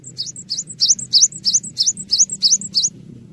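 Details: Cinereous tit in full, lively song, used as tutor audio for training songbirds: about eight rapid high whistled two-note phrases, a sharp rising note then a falling one, repeated roughly every third of a second over a low hum.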